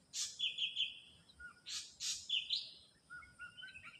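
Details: Ashy drongo in the wild: a harsh buzzy note leading into a level trilled whistle, repeated with further buzzy bursts and rising whistles, lower faint whistles behind.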